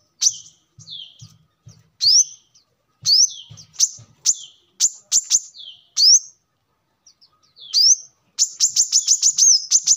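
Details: Brown-throated sunbird song used as lure or training model: scattered high upslurred whistles and downslurred notes with gaps, ending in a rapid burst of sharp high chips; faint low thumps early on.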